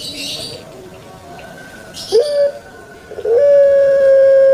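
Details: Kept puter pelung turtle dove, a bird famous in Indonesia and Java: after a quiet spell, two short gurgling rolls, the second opening into a long, steady, hollow coo held to the end.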